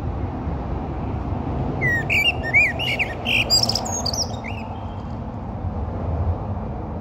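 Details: Common blackbird song: a rich run of varied, slurred flute-like whistles with interleaved high thin squeaks, about two and a half seconds long, over a low steady rumble.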